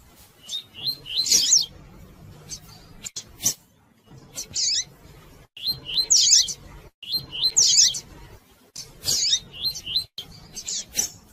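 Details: Female rusty-collared seedeater calling and chirping a lot, used to stimulate and warm up a male: bursts of high, sharp chirps and rising whistled notes in irregular clusters, about forty a minute, with brief silent breaks.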